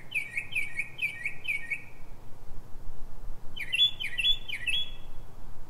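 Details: Northern mockingbird (Mimus polyglottos) singing at night in Silver Spring, Maryland, USA, at 03:44 pre-dawn: four quick chirping phrases, a pause, then three more varied, higher phrases, over low background rumble.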